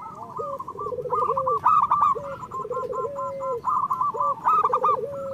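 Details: Local zebra doves singing, a recording meant to stir lazy or moulting birds into song. Low vibrating coo phrases end in a flat drawn-out note, layered under a busy row of higher, evenly spaced cooing notes.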